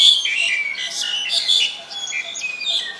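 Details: Black-collared starling in Ubon Ratchathani, Thailand, 2 January 2020, giving a continuous stream of grating, squawky chatter laced with brief high whistles, fairly loud and close throughout.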